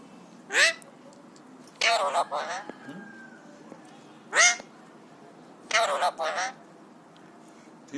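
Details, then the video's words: Three-year-old pet Alexandrine parakeet, happy and excited, giving loud harsh broadband screeches in pairs and shorter squawks, with softer mimicked sounds between, spaced a few seconds apart in a quiet room. "Alexandrine Parrot Talking | Happy/Excited Parrot | Parrot imitates Cough & Whistles & Screams"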